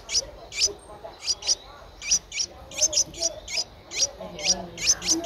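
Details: Streak-eared Bulbul chick, ten days old, Ubon Ratchathani, Thailand, April 12, 2023. Sharp high-pitched peeps come in uneven bursts, often doubled, about three to four per second, with a quiet background.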